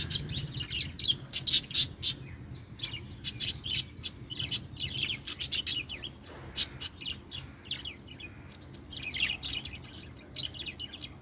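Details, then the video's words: Budgerigar chatter, a busy stream of sharp high chirps and clicks coming several times a second, uneven in rhythm, with brief lulls and a steady low hum underneath. "parakeet chirping sounds | budgie sounds"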